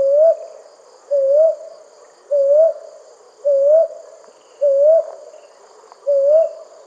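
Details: Brown hawk owl at night giving a steady series of six rising hoots, about one a second, each note low and level before curling upward, against faint insect-like background hiss.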